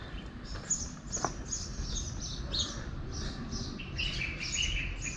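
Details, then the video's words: House buntings at a feeding spot in Marrakesh, Morocco, on a summer morning in extreme 40–45°C heat give short, high chirps about twice a second, then a lower run of notes near the end, over a steady low rumble. "you can hear the house buntings"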